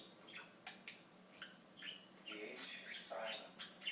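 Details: Pet budgerigar talking, a rapid run of buzzy chirps and clicks with speech-like warbled phrases, loud bursts near the end.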